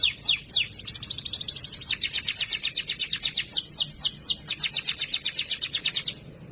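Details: Canary training song, loud and clear for other canaries: a few sweeping notes opening into a long rapid trill of falling notes, about four per second, fading at the end.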